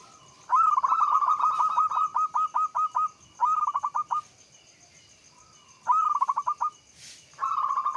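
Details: Local Javanese zebra dove in lure song to rouse other doves: loud rapid trilled coo phrases, each opening with a rising note then stuttering into evenly spaced pulses, repeated in four bursts.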